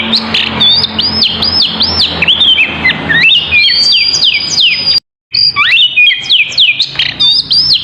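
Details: Oriental magpie-robin in full, energetic song, used as a lure to prompt other birds to answer: fast, varied, loud whistled phrases with sweeping rising and falling notes and sharp chips, briefly broken by a short silence midway.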